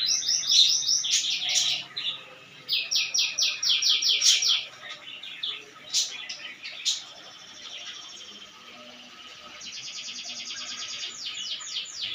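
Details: ['Canary in full song, rapid high trills and repeated chirping notes in bursts, some fast rolling series, with faint background noise.']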